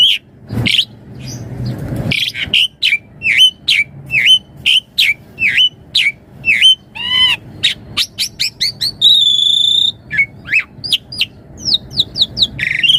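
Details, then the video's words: Jalak suren, the Javan pied starling, singing gacor with full variation for daily mastering and luring: a fast run of sharp whistled notes that swoop down, a few rasping bursts and one long steady buzz, with quiet gaps between. "Suara Jalak Suren Gacor Isian Mompa Full Variasi Cocok Buat Masteran Harian & Pancingan Burung Jalak"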